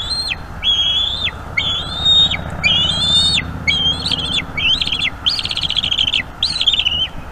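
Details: Bald eagle eaglet at a nest in North East Florida, calling a lot during an evening feeding by its mother, afraid its sibling will eat its leftover squirrel: a run of high, thin whistled cries, each held flat then dropping, roughly twelve in quick succession.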